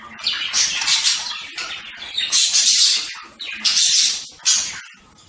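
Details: Budgerigars giving harsh, scratchy squawks in loud bursts of about a second, separated by brief quieter gaps, with a faint warbling chatter underneath.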